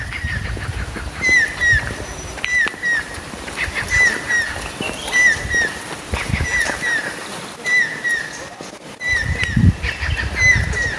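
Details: A Common Kingfisher gives clear, slightly slurred whistled notes in loose bursts every second or two, over a low rumbling background; Stork-billed Kingfisher.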